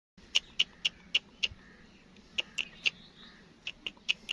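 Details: Newborn black francolin (kala teetar) chicks kept in captivity: short, sharp, high peeps about every quarter second in two bursts, with a pause of roughly one second between them and a quiet background.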